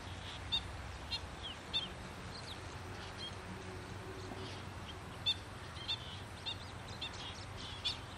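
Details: Black-winged stilt in a wetland giving sharp, high yelping notes at irregular intervals, often in twos, over a steady low rumble of wind and distant noise.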